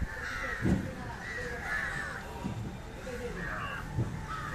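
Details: An Indian jungle crow feeding on fish gives rough, grating caws spaced about a second apart, with low thumps and murmuring in the background.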